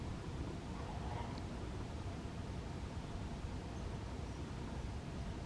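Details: Steady broadband hiss and low rumble, with no animal voice heard.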